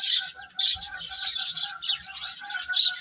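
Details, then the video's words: Feeding, playful chicks produce a rapid jumble of high cheeps in short bursts, over faint steady tones lower down. "Baby Chicken Chirping Sounds"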